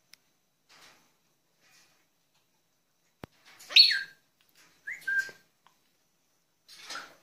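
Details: Pet Senegal parrots kept indoors, giving a few short harsh squawks and a falling whistled note, separated by pauses, with a click and a brief spoken word nearby.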